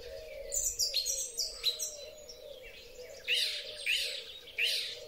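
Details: Song thrush in spring, recorded on a Huawei P30 Pro: thin high twittering notes, then three loud buzzy phrases repeated at regular intervals, with a steady low hum underneath.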